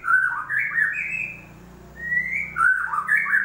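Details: White-rumped shama song used as a lure to get a silent bird singing again: rich whistled phrases of quick rising and falling notes, a short pause, then another bright rising whistle and a jumbled phrase.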